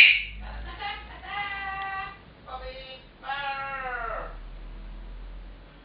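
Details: Indoor pet African grey calling for food when its owner gets back from work: a sharp opening note, then a run of drawn-out, nasal, harmonic calls like mimicked speech, fairly soft in a quiet room.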